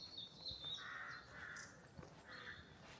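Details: A carrion crow gives three harsh, hoarse caws at a steady pace along a wooded track of ash and sycamore, with thin, high small-bird notes above; early morning, St Lawrence, Isle of Wight Undercliff.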